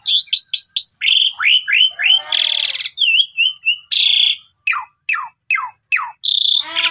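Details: Asian pied starling in full gacor song rich in isian mimicry: quick rising and falling whistles, two loud harsh rasping bursts, then a string of sharp descending chips.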